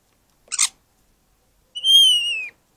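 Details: Starling song from an open garden in December: a brief clicking rattle, a pause, then a clear, drawn-out whistle that slowly falls in pitch, with no other noise.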